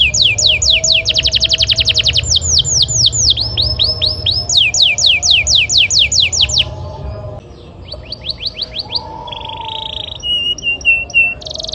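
A canary sings a long, rapid run of bright downward-sweeping trills, about four notes a second, then shifts to buzzy rolls and clear whistled notes.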